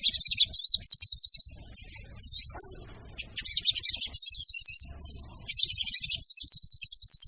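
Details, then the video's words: Crimson sunbird (sogon) female call used to lure birds: bursts of shrill, rapid, high-pitched twittering with a few thin slurred notes, broken by brief quiet gaps. "PANCINGAN SOGON TER AMPUH DENGAN SUARA SOGON BETINA!!!"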